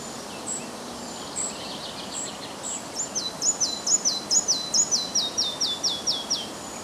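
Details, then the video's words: Red-breasted flycatcher (Ficedula parva) singing on a windy morning, 30 May 2011, north of Översjön, Järvafältet, Sweden: soft high notes build into a fast series of clear, descending whistled phrases repeated about twice a second, with wind noise. "Mindre flugsnappare (Ficedula parva)"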